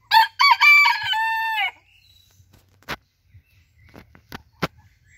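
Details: Booted Bantam (sabelpoot) rooster, one of two kept roosters, crows once: a loud, rich, stepped call lasting under two seconds that slurs downward at the end, then quiet with a few sharp clicks and knocks.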